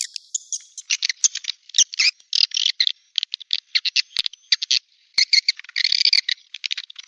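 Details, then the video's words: Softer high twittering and chattering of swiftlets, used to lure swiftlets, in quick uneven bursts with two brief sharp clicks. "Suara Burung Walet untuk Tarik"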